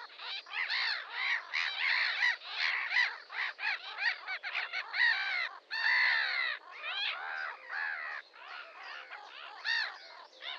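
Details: Red-crested pochard (Netta rufina) calling: a run of harsh, rasping, squawking notes in irregular clusters, roughly one each second, with some drawn-out strained calls in the middle.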